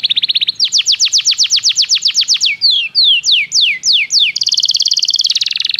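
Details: Belgian canary singing, recorded for canary training: a rapid trill, a long run of falling notes, slower slanted whistles, then a dense fast warbling roll to the end.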